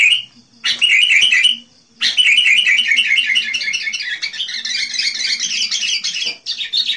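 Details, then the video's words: Sooty-headed bulbul in full song, recorded as a lure for wild birds, giving a short burst and then sustained, rapidly repeated chattering notes that rise slightly in pitch over several seconds. "SUARA burunh KUTILANG GACOR. cocok buat pikat kutilang liar"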